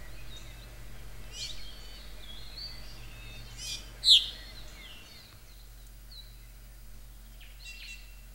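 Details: ʻŌmaʻo, the Hawaiian thrush, singing: scattered high, sharp whistled and slurred notes in a loose series over a few seconds, one note much louder than the rest, then a pause and a couple of softer notes, with steady low background hum.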